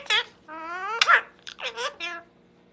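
A parrot talks in short, speech-like bursts: a bright squawked syllable, a drawn-out nasal phrase, then a few quick rising and falling words, in a quiet room.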